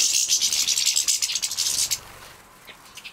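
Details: Young captive-bred European goldfinches being fed, Poland, 2017: two seconds of intense, high, rapidly pulsing wheezy begging, then abrupt near-silence with a couple of faint chirps.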